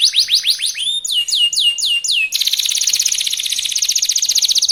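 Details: Young canary singing fast to provoke others to answer: repeated downward-sweeping whistled notes in two groups, then an abrupt switch to a dense, very rapid high trill.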